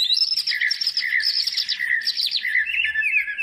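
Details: Greater green leafbird song meant as a lure for birds that are slow to sing: continuous fast, dense warbling of chattering notes and bright whistles, full and loud throughout the short stretch.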